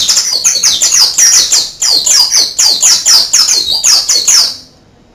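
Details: Oriental white-eye giving a canary-style song: rapid, high-pitched twittering of repeated downward-swept notes, stopping abruptly near the end.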